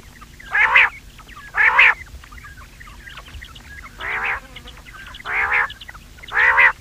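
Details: Common quail calling for hunting, rough buzzy three-part notes repeated about once a second, six bursts in all, over a soft steady hum.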